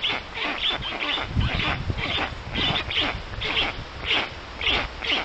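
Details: Storklets and a visiting strange black stork (Ciconia nigra) at a forest nest in Puszcza Notecka, Poland, June 2019, 14:23. Rough, wheezing rasps repeat almost twice a second, uneven in timing, with faint low rumble beneath.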